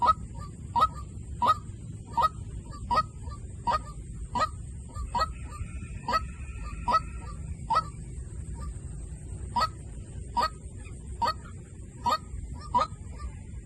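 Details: Lure call of a white-breasted waterhen: a long series of clipped, nasal notes, fairly evenly spaced and steady, with a brief faint whistle midway, over low background rumble and constant hiss.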